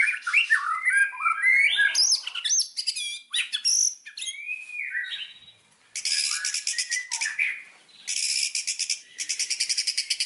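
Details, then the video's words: Indonesian white-rumped shama (murai batu) song used as a pancingan lure to set other birds singing: rich whistled, slurred phrases at first, then dense buzzy rattling bursts repeated in quick series with short pauses. "Pancingan burung murai batu"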